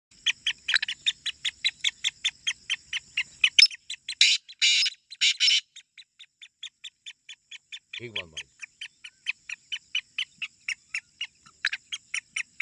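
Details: Grey francolin (teetar) recorded for a muqabla, a calling contest: a long run of short, sharp, high notes repeated steadily, about two or three a second, with brief louder bursts of noise midway and a faint low sound.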